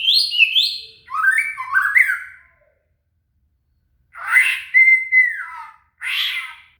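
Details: Shama (murai) song for tutoring a cililin: quick descending whistled notes in pairs, then a buzzy phrase leading into a long steady pure whistle, ending with a short harsh note.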